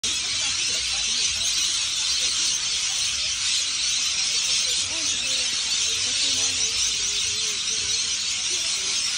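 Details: A tree full of rainbow lorikeets in Australia keeps up a dense, unbroken wall of shrill, harsh screeches and chatter, with faint human voices underneath.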